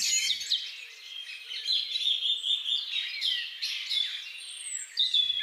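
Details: Common linnet (Linaria cannabina) singing in a garden during spring and summer 2021, where a male and female raised young. The song is a varied, fast twittering warble of mixed high notes with brief trills and slurred whistles, continuing without pause.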